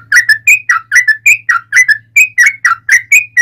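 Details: Long, lively fighting song of a yellow-vented bulbul, played to lure other bulbuls into replying. Rich, bubbly whistled phrases repeat rapidly about every quarter second, alternating rising and falling notes, with a faint low hum underneath.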